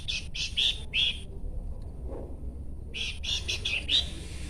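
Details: Bush babbler chattering in grouped raspy bursts with bright tonal centres, one cluster at the start and another after a two-second pause.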